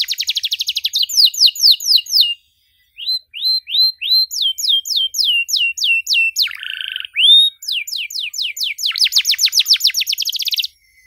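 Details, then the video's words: Long varied cengkok mewah canary song with dor rolls, for young canaries learning to sing: fast trills, runs of rising slurred whistles, a short nasal buzzy phrase, and a closing rapid trill. "KENARI GACOR DORR NEMBAK PANJANG, CENGKOK MEWAH COCOK BUAT KENARI MUDA BELAJAR BUNYI"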